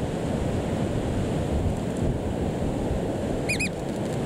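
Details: American oystercatcher at Puerto Egas, Isla Santiago, Galápagos, January 2020, calling loudly while waiting to walk back to its camouflaged eggs: steady surf and wind roar, then a quick pair of loud, clear piping whistles near the end.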